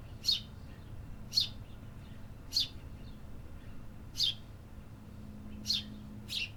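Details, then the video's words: In the city, a bird gives six high, sharp chirps at uneven gaps of about one to one and a half seconds, over a quiet low background hum. "Urban Birds Sound Effects"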